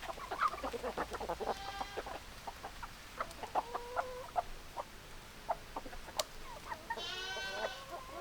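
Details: A flock of hens and roosters: busy clucking with several drawn, harmonic crow-like calls around two, four and seven seconds, the last one long and layered.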